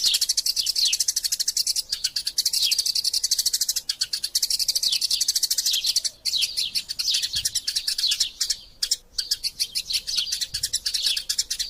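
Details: Eurasian tree sparrows in combat, recorded to tutor songbirds: nearly twelve seconds of thick, high-pitched chirping chatter, interrupted by short silent breaks near two, six and nine seconds.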